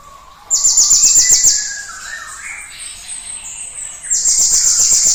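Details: Energetic cinereous tit song used to provoke other birds into singing: a sharp, high, rapid trill, then a stretch of softer, lower chirps and whistles, and another high trill starting at the end.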